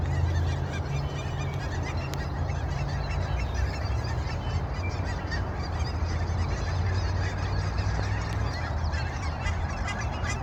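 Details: A sunrise chorus of Canada geese, with a steady wall of overlapping nasal honks and calls from numerous birds and a strong low hum underneath throughout.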